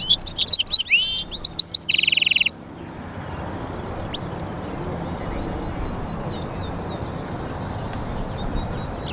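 A goldfinch-canary mule sings a fast, high twittering burst ending in a dry buzzy trill, then continues as faint, distant twitters over a low background hum.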